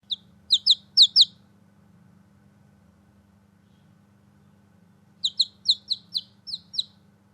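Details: Newborn chicks playing outside give high, downward-slurred peeps in two quick bursts, a short run at the start and another near the end, with a quiet pause between and a low steady hum underneath.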